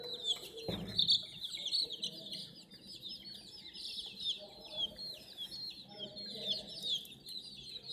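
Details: Hen chicks around a mini toy JCB crane keep up a constant shrill peeping chorus, individual falling chirps crowding together, after a brief knock early on.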